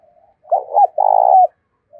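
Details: Decoy spotted dove calling wild doves in: a faint soft lead-in, a quick broken double coo, then a long vibrating coo tapering downward. A brief quiet note closes.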